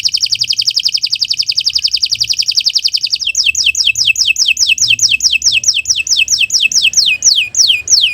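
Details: Canary training song: a dense, rapid rolling trill for three seconds, then a series of descending slurred whistles repeated about twice per second.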